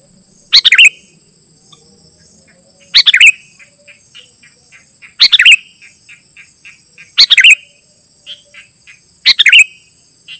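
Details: Sooty-headed bulbul song, used to call wild bulbuls and to tutor caged birds: five short, lively bubbly phrases repeated about every two seconds, with faint soft notes between, under a constant shrill insect-like drone.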